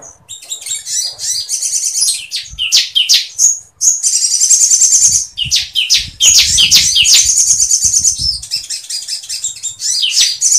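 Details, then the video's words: Sooty-headed bulbul singing non-stop, with long imitated phrases of Sampit woodpecker material, kept to teach songs to other birds; shrill rattling trills and rapid sliding notes run almost without pause, in several long loud bursts. "SOGON GACOR NGLEPER FULL MATERI PELATUK SAMPIT"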